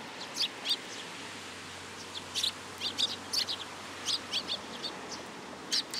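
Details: Sparrows coming to be fed at a Tenmangu shrine on 10 July 2022, uttering scattered short chirps, some in paired bursts, over a steady hiss of background noise.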